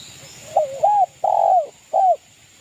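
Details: Local East Java zebra dove cooing to provoke rivals: a short stuttered opening note, then a long, full, downward-arched coo and a shorter final one, close and clear over a faint steady hiss.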